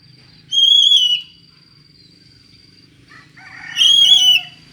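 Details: Oriental magpie-robin with an unusual voice, used to provoke another magpie-robin: two loud whistled phrases about three seconds apart, the second fuller and buzzier, over a constant thin high tone.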